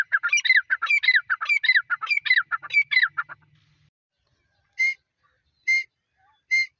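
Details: Grey francolin with chicks gives a fast, rhythmic series of harsh, ringing repeated phrases for about three seconds, then falls quiet before three single clear notes spaced almost a second apart.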